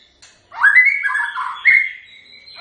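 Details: White-rumped shama giving one sustained melodious phrase of slurred whistles, swelling then fading, with a second bright whistle near the end.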